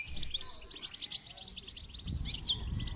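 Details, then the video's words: Goldfinch song recorded for song training, a quick stream of bright, tinkling high twitters with buzzy trills and soft low rumbling beneath. "Motivational rewards for training goldfinch to song"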